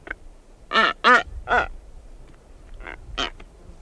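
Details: Female Blue-footed booby walking around her nest site, close up, giving hoarse honking calls. Five rich harmonic blasts come in an uneven series, two fainter ones follow, with low rumbling background.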